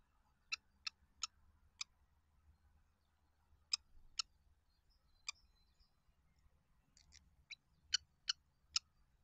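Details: Common kestrel at a nest where it lays and hatches eggs, in a residential area of Banská Bystrica, Slovakia, 10 May 2023 at 07:41, giving sharp, high, clipped notes, singly or in loose pairs, over a faint low hum.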